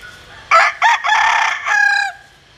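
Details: Bantam rooster, a cross of a Japanese bantam hen and a Cuban rooster, gives a vigorous crow: two short loud opening notes, then a long harsh drawn-out phrase ending in a falling tone, about one and a half seconds in all.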